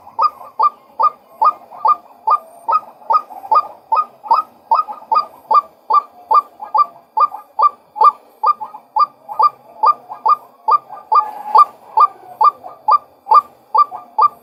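A male white-breasted waterhen gives a steady run of hollow, honking notes, a little over two per second, evenly paced throughout.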